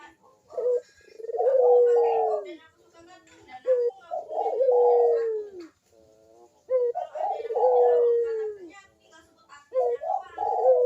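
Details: Barbary dove (burung puter) manggung coo played as a lure to prompt lazy doves into cooing; soft low coos building into long descending notes, the phrase repeated about every three seconds.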